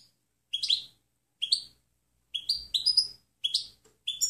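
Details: European goldfinch from a clean training recording: separate short, bright upslurred call notes given about every second, some doubled, quieter than full song, with faint low rustling.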